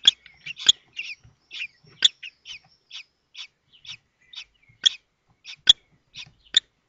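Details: Common kestrel nestlings at the nest in Théding, 19 May 2024, as the fifth chick breaks out of its shell while its siblings are fed: sharp, high chirps repeated in quick irregular bursts, some louder and piercing, over a quiet background.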